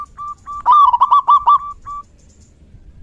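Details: Zebra dove singing in the rainy season: soft level cooing notes, then a loud run of rapid, hooked, rolling coos lasting about a second, ending in two more gentle level notes.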